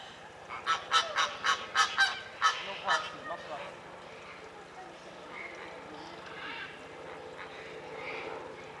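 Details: Greater flamingo kept at Opole Zoo: a quick run of about eight loud, nasal, goose-like honks over three seconds, then softer, more distant honking and murmuring chatter in the background.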